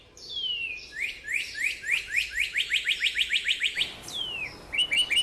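Northern Cardinal singing loud, clear whistles: a long falling slur, then a quick run of about a dozen slurred notes, another falling whistle and a few short chips.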